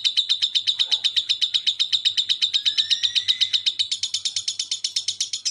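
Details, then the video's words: Lovebird ngekek chatter used as a masteran track: a fast, very regular string of sharp high chirps, about four per second, with a thin rising whistle threaded through the middle, steady low hum underneath. "Masteran Lovebird Ngekek santai dilanjut speed rapat burung diam pasti nyaut"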